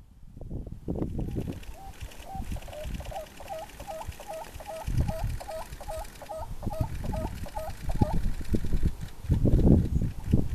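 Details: A grey-breasted seedsnipe in the Andes of Chile, 2 November 2014, gives a steady series of short, hooked, mid-pitched notes, about three a second for six seconds, over a low rumble of wind.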